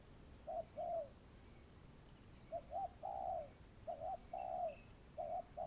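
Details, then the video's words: Ground-decoy spotted dove used for trapping, cooing in soft, low, rounded notes: a pair of short hoots, then clipped notes followed by a longer slurred coo, repeated, with a faint high chirp near the end. "tiếng chim cu gáy"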